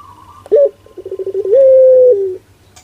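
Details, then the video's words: A 'pelung' Barbary dove with an amusing sound: a quick rising yelp, a rattling run of low pulses speeding up, then a flat prolonged hoot that drops slightly at the end, over a constant low hum. "Suara LUCU PUTER Pelung"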